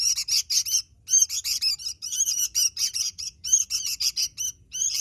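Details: Lively Sooty-headed bulbul song of fast, squawky chirps and slurred notes in repeated bursts, separated by short silences.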